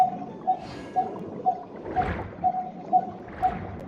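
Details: A Coppersmith barbet, heard from a distance in tall trees, gives a hollow, mellow 'tuk' on one pitch, repeated steadily about twice a second, with soft gurgling noise in the background.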